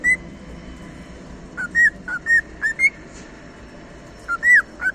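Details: Whistled cockatiel song made of short clear notes, some rising, some dipping, sung in loose bursts with pauses between them, against a low background hum.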